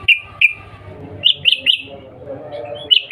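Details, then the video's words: Sooty-headed bulbul calling to draw a reply: scattered short whistled notes, some rising slightly higher in pairs, separated by brief gaps. "Panggilan Trucukan gacor Cuk Cuk EMOSI Nggaruda | pancingan trucukan agar bunyi CEPAT NYAUT GACOR"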